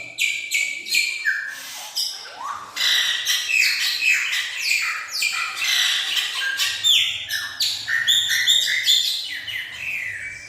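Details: Chopi blackbird singing at length: a dense, lively stream of varied whistled and chirping phrases, sliding notes and sharp upward sweeps, running continuously with barely a pause, with a faint low hum in the background.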